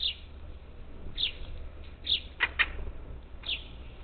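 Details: Parakeets at a Texas Gulf Coast bird feeder near Houston, July 2021: high falling chirps about a second apart, interrupted by two sharp clattering knocks, over low background noise.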